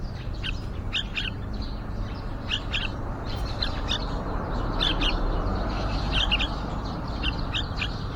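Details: Yellow-vented bulbuls at a nest built outside a window, followed day by day from nesting through hatching to fledging. Short, sharp high chirps come in small clusters roughly every second over a steady low background hum.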